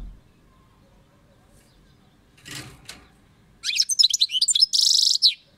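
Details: European goldfinch song: after a soft rustle, a rapid, liquid twitter of high notes runs into a dense, buzzy, grating trill at the end.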